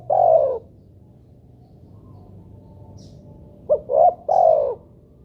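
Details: A spotted dove's lure coo for prompting doves to call. The end of one long mellow note is followed by a few seconds of quiet, then a complete phrase of a short note, a rising coo and a longer falling coo.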